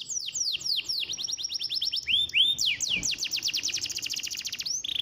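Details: Lively canary song played to encourage silent canaries, made of quick repeated descending chirps, brief swooping whistles and a dense fast trill near the end.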